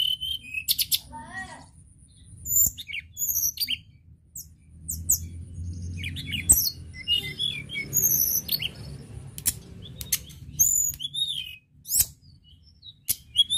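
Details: Sunda robin, tledekan gunung, singing vigorously with high twittering phrases, sharp clicks and quick slurred whistles in bursts separated by short pauses, over a low background rumble.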